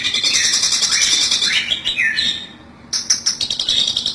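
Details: Lure for catching long-tailed shrikes: loud, continuous, rasping chatter with some slurred descending notes, a brief pause, then rapid scratchy repeated calls.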